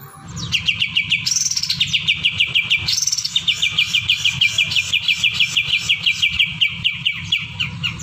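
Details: Greater green leafbird, kept as a pet bird, singing to provoke rivals: a long fast series of evenly repeated sharp chirping notes, broken by two higher whistled slurs, over a steady low hum.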